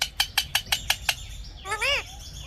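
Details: An Indian ringneck parrot that talks: seven evenly spaced hard clicks followed by a strong arched, harmonic vocal sound that climbs and drops.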